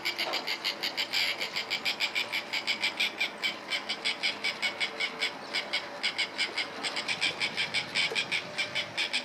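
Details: Mating White-fronted terns in New Zealand giving rasping, scratchy calls in a fast, even stream of roughly three to four pulses per second, many birds overlapping into a continuous chorus.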